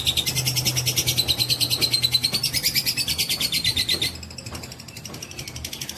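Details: Lovebird of fighter type in extended ngekek song, used as bait to provoke others: a loud, rapid, metallic chatter for about four seconds, then the rattle continues softer and thinner to the end; low hum in the background.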